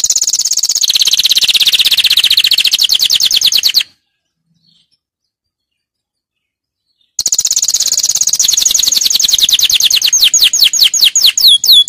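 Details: Powerful canary song for training: long unbroken buzzy trills, a silent gap of about three seconds, then more rapid rolling trills that break into quick repeated downward sweeps.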